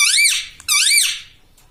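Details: Pet talking parrot, a tota said to say 'mitthu mitthu' and 'mummy', indoors: two loud, harsh, high-pitched syllables, each arching up then down with rich overtones, about half a second apart, followed by a faint short squeak.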